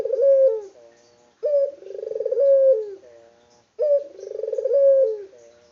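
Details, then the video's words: Energetic local spotted dove: three coos, each opening crisply, rolling into a rapid pulsing trill and ending in a drawn-out softer fall, repeated at a steady pace in still surroundings. "BURUNG PUTER LOKAL GACOR ISTIMEWA"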